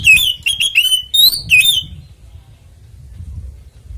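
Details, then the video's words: Oriental magpie-robin fighting song used to make other kacer sing: about two seconds of loud, quick whistled notes with a rising slurred whistle, then quiet low background noise. "SUARA BURUNG kacer gacor NGEPLONG TARUNG konslet ini PALING AMPUH buat PANCINGAN KACER cepat GACOR"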